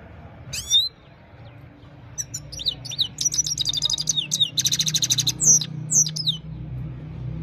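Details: Himalayan goldfinch singing in the evening, recorded on a mobile phone: high, varied twittering of quick chirps, sweeping whistles and buzzy rapid trills, with a steady low hum underneath.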